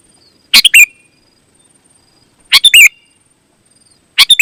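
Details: Sooty-headed bulbul singing hard as a lure for other bulbuls: three short, liquid phrases about two seconds apart, each two or three fast notes closing with a falling whistle, in quiet surroundings.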